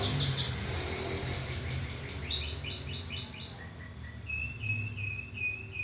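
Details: Canary song: rapid trills of pure repeated notes, each phrase held at one pitch then dropping to a lower trill, about two notes per second rising to quicker rolls, with a low background rumble.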